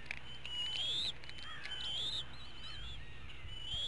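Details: Eaglets in a nest at Hanover, Pennsylvania, evening of 5 April 2017 at dinner time, one missing out; a series of wavering, rising high-pitched whistles, three or four in quick succession, over a low constant drone.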